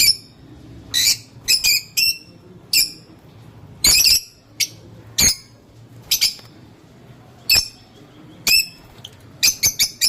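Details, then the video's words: Lovebirds give shrill, harsh chirps and squawks, about fifteen in ten seconds at an uneven pace, some in quick doubles and triples, against a faint background hum. "Love birds sounds..... লাভ বার্ড পাখির মিষ্টি করে ডাকার শব্দ"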